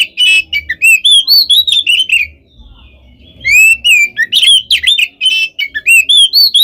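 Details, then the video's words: Oriental magpie-robin singing continuously to rile other birds, fast varied whistles and chirps sliding up and down, broken by one short quiet gap before resuming in rapid bursts; faint low hum underneath. "KACER GACOR FULL ISIAN KONSLET! BIKIN BURUNG LAIN EMOSI"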